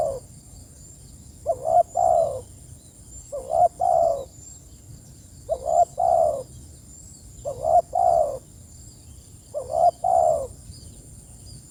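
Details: Spotted dove calling its companions in a steady series of five low two-part coos, roughly every two seconds. A short quavering note is followed by a fuller sustained one each time, over a faint high hiss.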